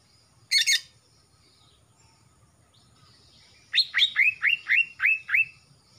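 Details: A young male greater green leafbird from Kalimantan, with a blackening throat, sings a single harsh burst, then a fast run of about eight downslurred whistled notes, roughly four per second.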